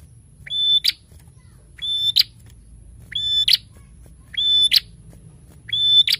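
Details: Vocal prinia singing narung: five evenly spaced phrases, about every 1.2 seconds. Each begins with a short rising note, holds a clear high whistle, then bursts into a harsh buzz. Soft low hum underneath.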